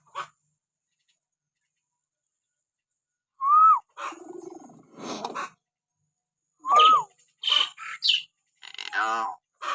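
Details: Common hill myna whistling to provoke pet mynas to sing: two loud arched whistles among gravelly, croaking squawks and rough chattering notes, separated by silent gaps.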